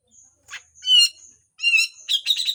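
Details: Cucak jenggot harsh besetan phrases: short high notes, layered loud squawking notes twice, ending in rapid buzzy chatter.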